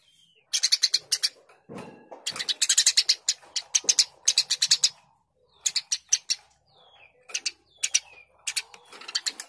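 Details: Eurasian tree sparrow chirping actively: rapid runs of coarse chirps in repeated bursts, a few low thumps, and faint thin whistles in between.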